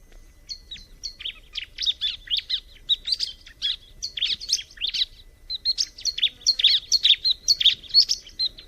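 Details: Continuous fast chatter from a bar-winged prinia: high, sharp chirps tumbling out at about two per second for the whole stretch, varying slightly in pitch, with almost no background noise.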